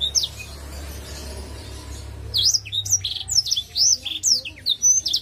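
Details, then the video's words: Black-throated canary singing in full voice in Indonesia, Ngalun-style song: after a quiet start, quick high whistled slurs rising and falling, interspersed with short buzzy notes, repeated more than twice a second. "BLACKTHROAT GACOR!!! Sing Song"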